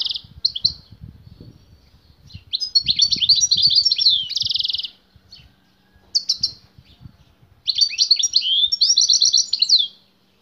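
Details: Caged male European goldfinch singing fiercely and strongly on hearing a female nearby: bursts of rapid twittering high notes and buzzy trills, separated by short pauses, with faint low background knocking.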